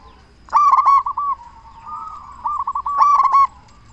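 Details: Local zebra dove with a big voice, calling to lure other zebra doves into answering: two loud bursts of quick, hooked cooing notes, with softer continuous cooing from other doves between them.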